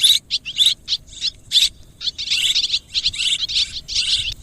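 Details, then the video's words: A mix of swiftlet calls: short, high, sharp chirps and twitters in separate bursts, gaps between them, then a denser run of overlapping chirping toward the end. "ສຽງນົກແອ່ນ ຮ້ອງປະສົມ Tiếng én, Tiếng Chim Énเสืยงนกแอ่น"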